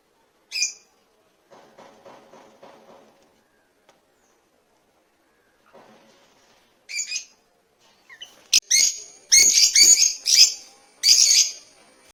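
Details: African lovebirds kept in a Kerala aviary: an early shrill squawk, a soft low pulsing sequence, then loud harsh screeches and sharp clicks packed together near the end.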